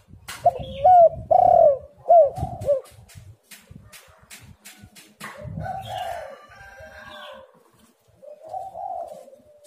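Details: Dove cooing, used as a lure to make lazy spotted doves call. Several loud hooked coos open the clip over ticking clicks, followed by rougher, broader calls and a soft closing coo.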